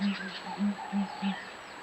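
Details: A female Southern Ground Hornbill sitting in the nest gives the begging call, a whine-like sound made when the group arrives, to be fed: four short, low, whining hums at uneven intervals over about two seconds, faint background hiss.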